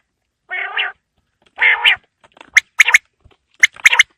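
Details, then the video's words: Winter evening quail: two drawn-out nasal, buzzy notes, then two ringing triplet phrases, one sharp note followed by a quick double, in quiet surroundings. "Quail Calling Sound For Winter | Baiter Ki Awaaz Sardiyon Ki Sham K Leya | بٹیر کی آواز سردیوں کیلئے"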